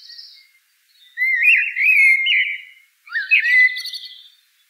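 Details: Rich, fluting Eurasian blackbird phrases: one long, wavering whistled warble, then a shorter phrase that slides upward into a scratchy high twitter.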